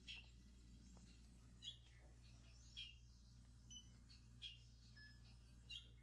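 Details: A male Hooded Oriole's call, played indoors: short, sharp, high chirps every second or so over a steady low indoor hum.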